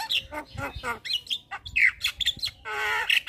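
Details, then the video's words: Lively Javan myna song for tutoring and luring other mynas: grating squawks, clipped chatter and a drawn-out buzzy rasp near the end, notes tumbling irregularly. "JAlak kebo GAcor Full Isian Masteran Jalak Kebo - PAncingan Semua Jenis Jalak"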